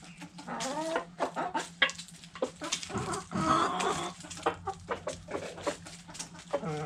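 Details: Backyard hens clucking while eating food scraps: repeated harmonic clucks and a drawn, buzzy call midway, over dense pecking clicks and a constant low hum.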